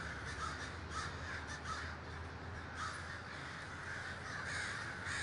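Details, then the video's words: Crows massed in a large communal gathering in Davis, California, producing a ceaseless chorus of rough, overlapping caws, with a few nearer birds calling more clearly above the crowd. "The Great Gathering of Crows"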